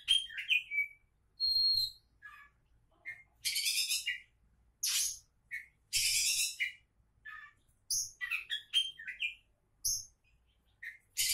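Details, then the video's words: Oriental magpie-robin, the kacer, billed as a champion-in-waiting. Its song mixes thin sustained whistles, falling slurred notes and loud harsh bursts, delivered in short phrases with quiet gaps between them. "Kacer Calon Juara"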